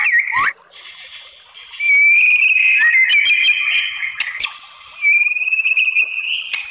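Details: White-rumped shama provoking others to answer, giving a quick downslurred note, then sustained bright whistles with harsh overtones, a short pause, and another long steady whistle.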